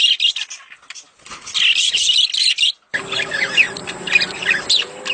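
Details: Budgerigar mating calls used to encourage a female to lay: dense, buzzy high chatter in the first half, then softer scattered chirps over a faint steady hum.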